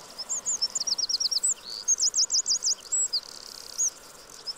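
A Eurasian wren gives a loud, very high, rapid run of trills and sharp twittering notes, quickly repeated, over a faint background hiss.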